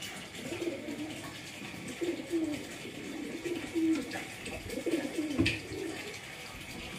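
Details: Kept pigeons cooing: soft, low, throaty coos in short rolling bursts, repeated roughly every one to two seconds, with a steady background hiss and a brief sharp knock near the end.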